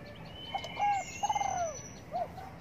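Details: Spotted dove cooing while sunbathing in the morning: a short soft note, then a longer tremulous coo that slides downward, and a brief closing coo, with a thin high drawn-out tone above.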